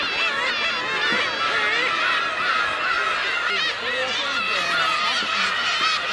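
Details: Black-tailed gulls at Kabushima on New Year's Day 2015, the most ever seen there in winter, call constantly in a dense chorus of overlapping nasal, mewing cries, rising and falling without pause.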